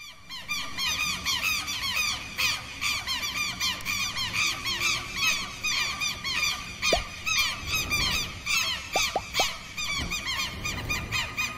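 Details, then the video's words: Southern lapwing alarm call against predators: loud, strident, harsh, rapidly repeated notes from several overlapping birds, given day and night when an intruder enters its marsh or pasture territory; a few soft thumps near the end. "QUERO-QUERO🎶 CANTO DE ALERTA -CONTRA PREDADORES"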